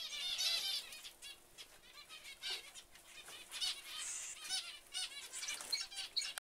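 Zebra finch chicks give a dense stream of high, raspy chirps, several voices overlapping in quick succession.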